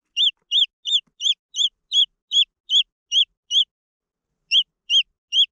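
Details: High, arched peeps from green junglefowl chicks, repeated steadily for a few seconds, then a short pause before three more notes follow.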